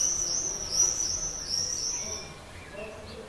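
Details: Swift calling from a terracotta nest pot beneath a terrace roof, Leuven, May 2016, luring a partner; one long drawn-out shrill trill for about two seconds, then fading to quiet.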